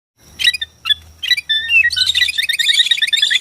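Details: White-rumped shama from Borneo, played to provoke shamas into singing and fighting: varied song of sharp whistles and chips mixing into a fast run of repeated bright notes, with a faint low hum underneath.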